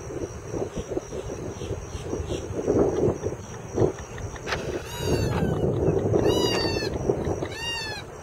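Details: Purple Gallinule adults calling to their chick, giving three short bursts of high, squeaky, arching notes over steady low rumble and a thin high whine, at South Lake Howard Nature Park, Winter Haven, Florida.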